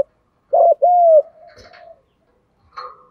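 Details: Spotted dove, lure call used to attract doves in Vietnam: two low, smooth cooing notes, the second a longer steady hoot, followed by a faint trailing murmur and a soft later coo.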